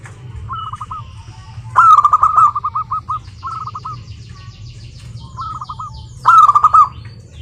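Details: Local zebra doves singing to draw others into song: short phrases of curled coos alternate with louder, rippling bursts, separated by brief gaps, over a low background hum.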